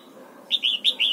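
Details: Short whistled phrase from a red-whiskered bulbul trained to sing double notes in the morning: four bright, slightly slurred notes in about half a second, clean and loud.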